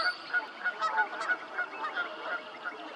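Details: Male green-winged teals with an American black duck at Beaver Marsh, Cuyahoga Valley National Park, Ohio, 12 March 2020, give short, clear overlapping whistled peeps, about three a second, over a soft background hiss.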